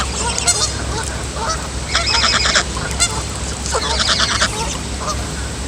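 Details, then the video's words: A young female goose gives harsh, raspy honking bursts, two longer rough outbursts with softer squeaks between, over a steady low hum. "Baby goose makes strange and horrible noises"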